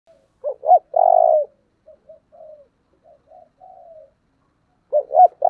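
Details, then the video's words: Spotted dove calling in the 'giọng thổ' voice style, in intense, fiery calling: low, hollow two-part coos ending in a long sustained note, then fainter, broken coos and a renewed loud phrase near the end. Background quiet. "Cu gáy giọng thổ/ thúc căng lửa"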